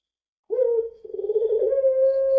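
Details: Puter pelung dove giving a long lure song: a brief steady coo, a short warbled dip, then a drawn-out clear, level hooting note held to the end in a quiet room.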